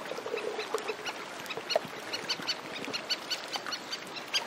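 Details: Several Antarctic terns calling in flight over lapping sea, with the shore in the foreground: many short, sharp, harsh notes overlapping in quick succession against a steady wash of water.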